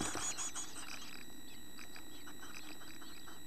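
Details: Chickadee nestlings in a nest box, almost ready to leave the nest, with tail feathers, eyes open, beating wings to exercise; a burst of high thin chirps, then scattered quieter chirps over a steady electrical hum.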